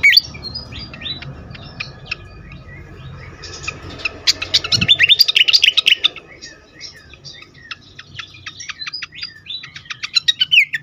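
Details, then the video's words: Agitated fantail, a lure recording for stimulating birds: high twittering chirps, rising to a dense, loud burst of rapid sharp notes in the middle, then sparser high ticks and short whistles over a low rumble. "sikatan kipas ngamuk"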